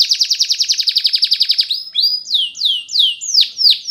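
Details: Spanish Timbrado canary singing a training song: a fast rolling trill of about fifteen repeated notes, then a slower run of downward-sweeping whistled notes, roughly three per second.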